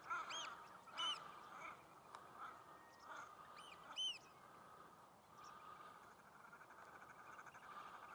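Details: Common shelduck fighting during the mating season: several loud whistled calls with rising-falling overtone arcs, in pairs near the start and around four seconds, over a steady background hum and softer calls.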